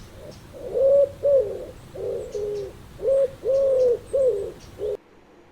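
A pigeon gives soft, low, throaty coos, about seven mellow notes in five seconds, some rising and falling slightly; nothing else stands out.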